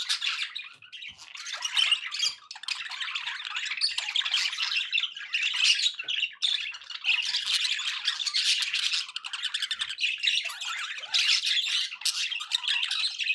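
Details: Pet budgerigars chatter steadily for over thirteen seconds: grating warbles, rapid clicks and squeaky chirps pile on top of one another in a continuous, animated flock babble.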